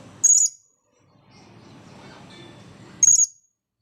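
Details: Blue-crowned hanging parrot calling in front of the camera after drying off from its bath: two sharp, very high, thin squeaks about three seconds apart, with a soft low rumble between them.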